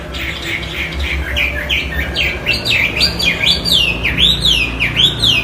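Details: Chinese hwamei delivering a powerful song of clear whistled notes, each sweeping up and then down, repeated in a steady series about once every second and growing louder toward the end, with low background hum.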